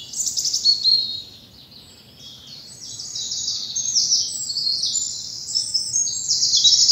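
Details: Early morning spring birdsong in bluebell woods in the South of England, sunlight through the foliage; high, bright overlapping trills and sweet warbles, with a short quiet dip before the chorus builds again, and faint low rumble beneath.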